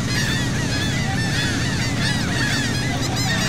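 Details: A crowd of seagulls at sea by Saint Martin, Cox's Bazar, Bangladesh, recorded from a boat, giving rapid overlapping nasal, downcurved cries, with a continuous low engine hum.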